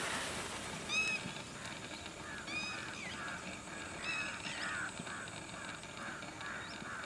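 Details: Lesser whistling ducks with their ducklings, Udaipur, Rajasthan, India, give thin, squeaky whistled notes, several short calls in a loose chattering series, over a steady background hiss.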